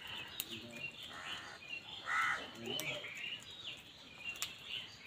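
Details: Crows fighting over food: one loud, harsh, drawn-out caw near the middle stands out above continuous chattering and chirping from many other birds, with scattered sharp clicks and knocks.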